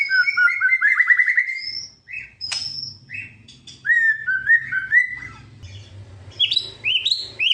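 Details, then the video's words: White-rumped shama song used to provoke rival birds, a varied run of loud whistled phrases: a rapid rising trill, clear high whistles and sliding notes in quick succession, over a faint low hum. "kretekan buat memancing emosi lawan,auto gacor"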